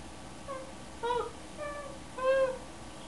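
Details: Severe macaw, a pet watching his own videos indoors, gives four drawn-out, whimpering tonal cries about every half second in a crying-like imitation, in a quiet room.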